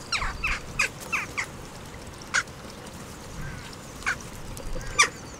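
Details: Western jackdaws, a whole family group bathing together at a bird bath in Recke, Germany, filmed by a live camera on 5 May 2021; short sharp harmonic 'tchak' calls in a quick burst, then scattered single calls over faint background hiss.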